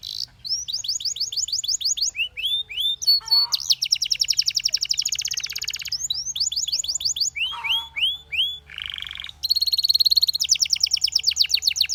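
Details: A Belgian canary (Serinus canaria domestica) sings a long, varied song of rapid high trills, buzzy rolls and sweet downslurred whistles, switching phrases every second or two, over a faint low hum.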